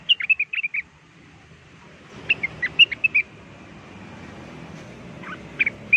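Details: Blue-winged leafbird lure recording with a fast cluster of whistled notes, a short gap, another cluster of sliding whistles over steady background hiss, and two final notes after a long pause.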